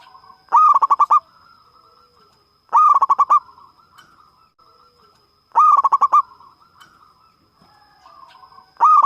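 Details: Local zebra dove (perkutut lokal), a loud, frequent singer, used as a lure to prompt other doves to sing: bursts of five or six rapid, staccato cooing notes, repeated every two to three seconds, over a faint steady high whine.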